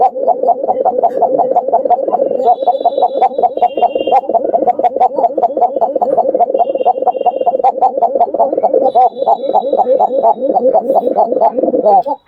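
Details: Domestic pigeons, Basiraj and Koka Gobindo pigeons kept for their long calls, give a continuous, rapid, rolling coo pulsing about five times a second without a break, with faint high chirps above it.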